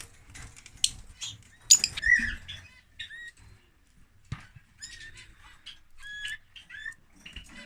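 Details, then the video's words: Lovebirds giving scattered high squeaks and short whistled notes, some bending downward, spaced irregularly between brief pauses, with soft rustling and a few clicks in the background. "Love Bird singing (Lovebird)"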